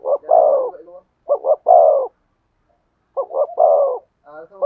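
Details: Spotted dove with a thổ sấm style voice. Three full phrases of a stuttered double coo and a deep, sustained note, separated by short pauses, then faint soft notes at the end.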